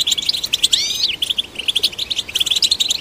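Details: Goldfinch song played to stimulate goldfinches: a few rising and falling slurred whistles lead into a steady stream of clear, rapid twittering notes.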